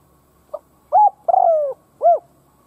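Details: A decoy spotted dove, kept for luring, coos to challenge wild doves. One full phrase: a quiet pip, a flat coo, a long descending quavering coo, and an arched last note. No other sounds.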